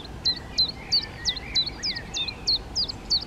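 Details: Fledgling Black redstarts out of the nest, fed by a darker male and a paler female; a steady run of piercing hooked notes, dropping then curling upward, roughly three per second, with a softer lower twitter beneath.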